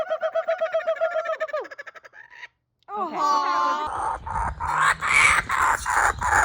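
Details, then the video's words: Kookaburra laughter as rapid pulsed hoots that slide downward and fade, a short silence, a rough rising cackle, then loud broadband noise with a woman's voice talking. "The kookaburra’s laughter is so infectious."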